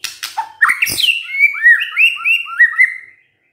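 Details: Vigorous white-rumped shama song: harsh scratchy notes and a low buzz give way to a lively chain of clear, arching whistles that rise and fall for about two seconds.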